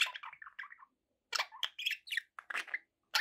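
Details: Budgerigars kept as pets warble in quick wavering descending notes, then after a short pause give harsh chirps and squeaky chatter in rapid bursts.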